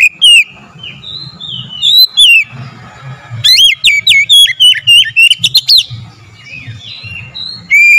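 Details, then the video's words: Oriental magpie-robin song used as a lure to excite other magpie-robins into singing: loud, sweet whistled notes sliding up and down in rapid bursts, with brief quieter gaps and a low hum beneath. "SEKALI PANCING KACER LANGSUNG GACOR NAIK EMOSI"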